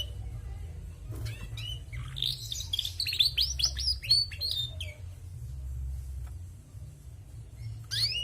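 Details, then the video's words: Active female canary twittering: a quick run of rapid chirps and thin whistled notes packed together for about three seconds, then quiet, then a fresh burst at the end, over a constant low background hum. "Bunyi Burung Kenari Betina gacor"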